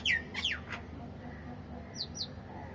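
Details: In the evening, a myna gives three quick, falling whistled notes, then two short, higher chips after a pause, over a steady low background hum.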